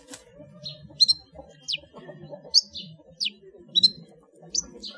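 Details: Long-tailed shrike song in the ngeplong full isian style, a master recording for training cage birds: sparse, sharp, high downslurred notes and short chirps spaced about a second apart over a low murmuring background.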